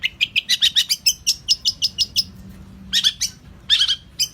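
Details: Tutor recording of a champion long-tailed shrike: a quick run of bright, high chirps shifts into varied, higher whistled notes. A pause follows, then scattered short chirp clusters.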